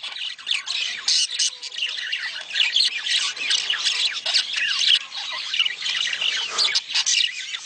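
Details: Several budgerigars keep up mating calls to stimulate breeding: a continuous warbling babble of scratchy chirps, squeaks and rising whistles, steady in loudness throughout.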